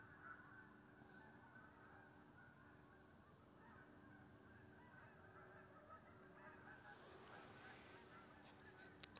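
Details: Geese landing in a wheat pasture on the morning of October 25th, recorded from a deer stand. A constant chorus of distant honks, followed by rustling and handling noise toward the end.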